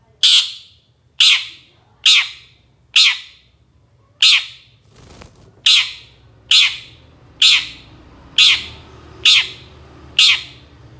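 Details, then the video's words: Long-tailed shrike from a master recording for training songbirds, giving loud harsh squawks, eleven in all, spaced roughly once a second, with a brief thump partway through. "Kicau Masteran Suara Cendet"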